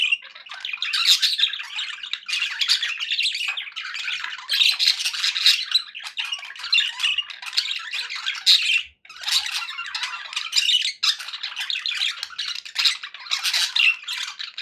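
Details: Pet budgies chattering indoors in a continuous dense warble of high scratchy chirps and squawks, bursts lasting a second or two with brief pauses, no other sounds.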